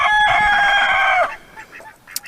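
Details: A male quail (rooster) kept caged on a homestead gives a single clear, pleasant, soft crow lasting about a second, even in pitch and dipping slightly at the end, followed by faint rustling.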